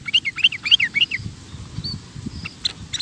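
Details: Sooty-headed bulbul giving a short burst of rapid 'ropel' song: about six quick, down-slurred chirps in one second, then faint scattered high notes over steady low background noise.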